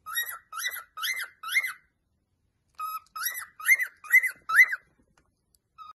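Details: Caged cockatiel whistling its song in two bursts of arched rise-and-fall notes, four then five, roughly two per second, separated by a one-second gap and ending with a soft whistle.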